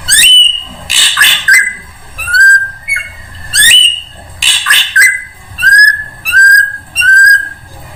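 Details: Drongo song used as a lure for all birds: varied whistles, some sliding downward, mixed with harsh chattering bursts, phrases spaced a second or so apart.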